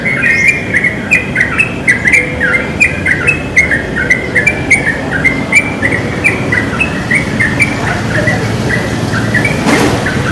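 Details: Wild yellow-vented bulbuls in a pine tree singing lively: a steady run of bubbly, gurgling mid-pitched notes, rising and falling, over a constant rushing background noise.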